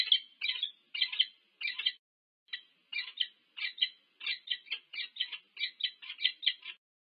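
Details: A pair of wild peregrine falcons meets at its nest at UC Berkeley, USA, 25 August 2023, on a nest cam: scratchy, hoarse notes in pairs and triplets, steadily repeated after one short pause.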